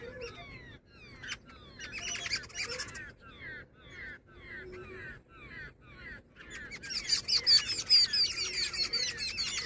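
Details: Female jungle babbler giving a run of harsh, nasal, downward-slurred notes repeated quickly, then a burst of overlapping squeaky chattering toward the end.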